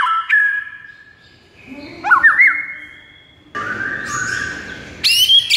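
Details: White-rumped shama vocalizing to provoke a silent bird to sing: varied whistles, a held tone, quick warbled slides and a harsh burst, with background hiss between phrases.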